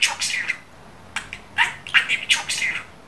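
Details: Budgerigar pet mimicking speech: a brief scratchy phrase, a short pause, then several rapid squeaky word-like bursts.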